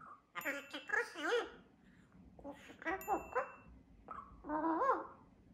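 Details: Captive double yellow-headed amazon parrot talking to itself indoors on Vesterøy island: several bursts of human-like chatter with bending, vowel-like tones, separated by short pauses.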